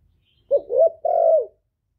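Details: Male spotted dove decoy calling wild doves toward its spot; one soft, hollow three-note phrase, short-short-long, the last coo held and falling in pitch, in clean silence.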